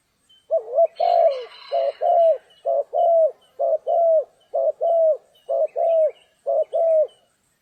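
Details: Spotted dove calling during trapping on a rainy, stormy day: a loud run of low, hollow coos, about twelve in seven seconds, each note briefly rising then dropping, in paired groups with short gaps; faint rain-like background hiss.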